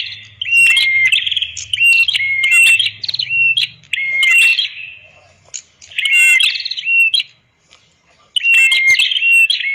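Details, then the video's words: Training master of a red-headed prinia: clusters of sharp, high twittering notes and quick whistles, several bursts back to back, then a silent gap before a final phrase; faint low hum at the start. "Suara ampuh Master burung Prenjak kepala merah"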